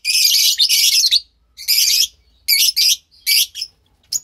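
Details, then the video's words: Captive pastel lovebird chicks, two of them, giving loud coarse raspy calls in repeated bursts of roughly half a second, separated by short pauses. "Two Lovebird Chicks"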